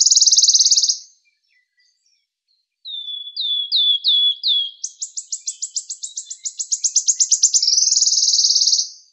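A wood warbler gives a high shivering buzz, a few piping descending notes, then an accelerating trill that ends in another dry shivering buzz.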